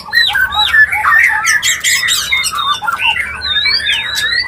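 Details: White-rumped shama mating call meant to bring a bird into breeding condition, heard as a busy jumble of squawky, sliding notes and clear upslurred whistles repeated in quick succession, with sharp clicks throughout.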